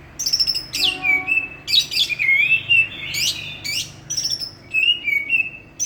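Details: Greater green leafbird, village champion from Banyuwangi in East Java, sings loud, continuous varied phrases: high thin trills, dipping and rising slurred whistles and bursts of dense chattering notes packed closely together.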